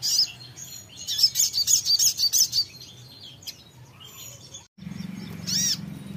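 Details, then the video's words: Songbird answering right after a recording is briefly played; a fast burst of high, sharp chirps repeated several times per second, then a pause, a short rising-falling whistle, and a low steady hum underneath. "putar sebentar langsung nyaut sogon nya"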